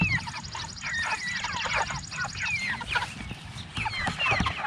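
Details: Flock of six-week-old meat chickens practicing a little crow, becoming more rooster-like; dense overlapping squeaky chirps and short breaking crow notes, low rumbling handling noise and soft music underneath.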